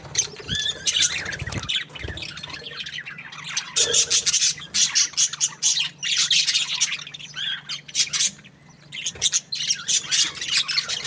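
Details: Happy budgerigar chattering in dense bursts of high, scratchy chirps and squawks, with short pauses between rapid runs of notes.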